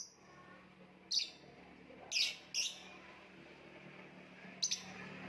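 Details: Lovebird giving four short, sharp, high chirps spaced unevenly over five seconds, each a brief harsh burst, with a low steady hum underneath.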